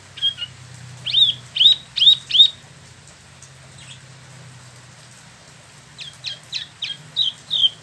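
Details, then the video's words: Captive Spot-throated Babbler from China or Vietnam, kept in Bandung, gives a burst of four rising whistled notes, falls silent for several seconds, then resumes with a faster, softer series. "Wambi Mini / Tieu Mi (Pellorneum albiventre) ngeroll"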